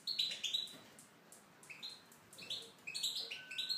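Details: Tunisian goldfinch in an aviary delivering a lively song of quick, liquid twitters and short high trills, phrases tumbling together almost continuously with brief gaps, in a quiet indoor setting.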